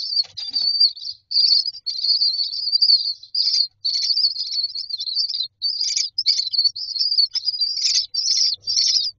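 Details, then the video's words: Hungry myna chicks in a nest box give loud, high, hoarse wheezing calls in long phrases separated by short pauses, a steady insistent chorus. "Babies bird asking for food"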